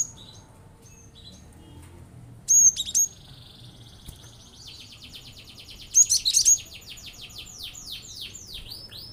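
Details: Cinereous tit (glatik batu) in energetic song intended to provoke other birds into singing: two loud shrill chattering bursts a few seconds apart, followed by fast, evenly repeated high rasping notes running to the end.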